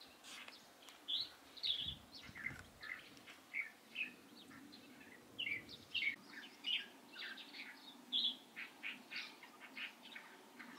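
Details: Light-vented bulbul on 16 April 2023 producing sharp chirps and slurred notes in uneven bursts, with soft low noise early on and a constant faint hum.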